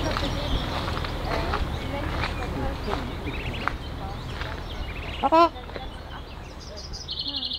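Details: A ruddy shelduck with her ducklings at a pond in Heiligenhaus, Germany, at 19:30 on 28 May 2020, gives one loud, nasal honk over steady background noise and faint voices, then a thin high peep near the end.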